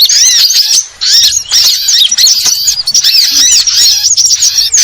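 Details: Sunbirds chatter in high, squeaky bursts of overlapping chirps. After a short lull near one second, the dense twittering resumes and carries on steadily.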